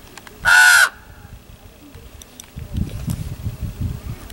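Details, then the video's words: Common raven at Chaco Canyon giving a single loud, harsh croak lasting about half a second, followed by low rumbling background noise. "Chaco Canyon Raven"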